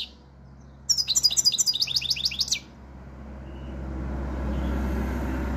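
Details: A European goldfinch in top form delivers one quick burst of tinkling, high twittered notes lasting under two seconds, each note sliding downward. A steady low rumbling noise then builds up and continues afterward.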